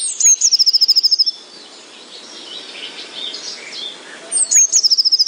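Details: Eurasian wren singing on an evening by a quiet, slow-flowing river, with a blue tit and willow warbler nearby: high, loud song of rapid trilled notes in fast repeated bursts, pausing between phrases; soft background hiss and faint other birds.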